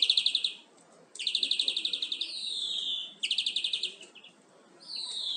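A European greenfinch sings bright, rapid trills of about ten notes a second in short bursts, each followed by a drawn-out, slurred falling note; nothing else is heard.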